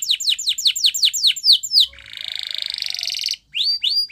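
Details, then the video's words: Spanish Timbrado canary training song: a run of quick descending whistled notes repeated about four per second, then a long rapid metallic rattle-trill, a short pause, and more sweeping whistled notes. "Most Spectacular Video Training From Canary Spanish Timbrado"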